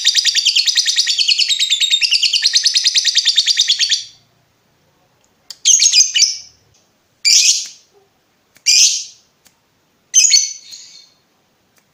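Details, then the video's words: Lovebird long ngekek trill for training others, a four-second high chattering run followed by single harsh chirps every second or so with gaps of silence. "SUARA BURUNG LOVEBIRD NGETIK NGEKEK PANJANG COCOK UNTUK MASTERAN"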